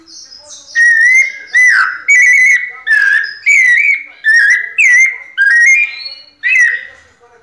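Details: Captive white-necked thrush singing in the pianado style: a series of loud, clear whistled phrases, each about half a second long, spaced by short gaps, with slurred rising and falling notes and bright overtones.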